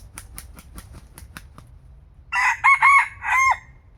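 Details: Young red junglefowl decoy cockerel, described as newly mature and at a feisty age, gives one loud harsh four-part crow in close succession. Earlier, a run of soft regular clicks or taps is heard against a quiet background.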